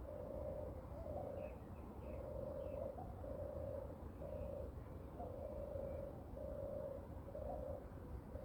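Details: A European turtle dove walking on the ground, recorded 29 May 2023 at 6:34 am, gives a low, soft purring song, a rolling turrr about once a second, over wind rumble with faint chirps of other birds.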